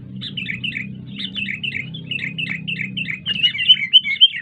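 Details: Sooty-headed bulbul, a noisy recording used to train the nerve of wild-caught bulbuls: quick, bubbly chirps, several every second, growing louder and brighter near the end, over a steady low hum.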